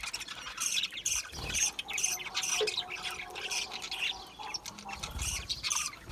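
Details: Budgerigars, small Australian parrots kept in an aviary, chattering in a dense flock: overlapping high scratchy chirps and short squawks in quick irregular bursts, with warbled notes mixed throughout.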